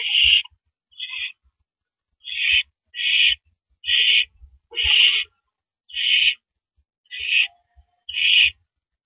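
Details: During the first mouse delivery of the night at an owl nest, 9 April 2012 around 7:58 PM, short rasping hisses repeat about once a second in an uneven series of nine, with faint knocking below.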